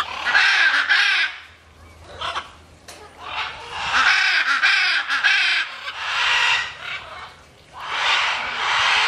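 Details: Macaws in free flight giving loud, gravelly squawks in long drawn-out bursts, with a few quieter calls between the main outbursts.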